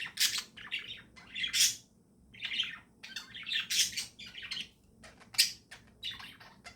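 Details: Budgerigars kept as pets chirping in the morning, with clusters of bright warbling chirps and squeaks arriving in bursts about every second, separated by short pauses, in a quiet room.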